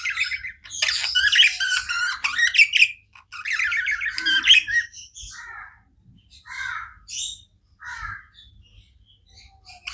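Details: Several pet budgerigars chattering: loud raspy warbled phrases for the first five seconds, then spaced short chirps and squawks with quiet gaps.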